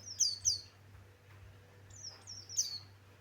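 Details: Pleci Buxtoni white-eye giving short, high, thin chirped notes that dip in pitch, two quick notes, then a pause, then two more, over a steady low hum.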